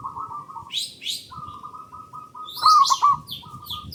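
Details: Zebra dove of a local strain, played as a lure to get other doves singing: a low, steady run of soft coos, then a louder stuttering burst near the end, with high chirps from other birds overhead.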